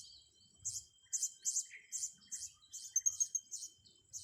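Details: Blue-crowned hanging parrots with young birds being trained: a busy stream of squeaky, high, slightly buzzy chirps, about two a second, with faint low background thumps.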